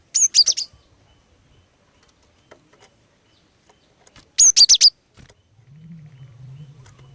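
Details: Luring song of a female cinereous tit meant to make males join in: two quick high chirping triplets about four seconds apart, followed by a low steady hum.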